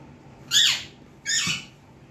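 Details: Alexandrine parakeet kept as a pet, beginning to talk indoors: two loud, raspy, harmonic squawked syllables about three quarters of a second apart, each sweeping downward.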